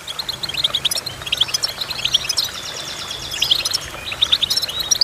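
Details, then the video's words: Twittering goldfinch song in clusters of high, tinkling notes separated by brief gaps, with a thin sweeping trill near the middle. "Goldfinch Chirping"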